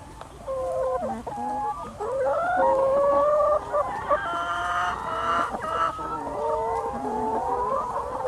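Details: Young free-range chickens on a farm in the Lower Rhine region, Germany: a continuous flock chatter of overlapping harmonic calls, some drawn-out and rising, others short and clucking, from several birds at once, with steady low background noise.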